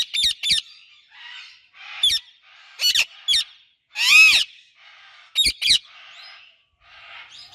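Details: Pet Indian ringneck parakeet chirping together with an Alexandrine parakeet: sharp, shrill chirps in short bursts of two or three, with one longer harsh rising-falling squawk near the middle, separated by quiet gaps.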